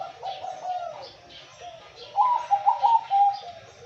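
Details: Male zebra dove cooing: a soft low trilled phrase, then a louder run of rapid stuttering coos with short staccato notes, in a quiet setting.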